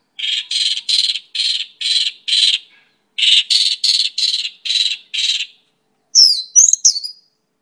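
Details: Mongolian lark (pakling) giving a series of harsh, rasping broadband notes repeated about three times per second in two phrases, followed by a few sharp high chirps, no other sounds.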